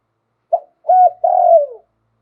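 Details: One full lui tan song phrase of a spotted dove kept in Thailand, prized for its wild-type voice: a brief note, a rounded coo, and a drawn-out coo that slides downward.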